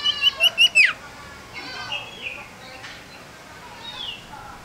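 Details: A tame male common iora, a small agile yellow bird, opens with five rapid, high whistled notes that slide downward at the end. Softer whistles and faint chirps follow in the background.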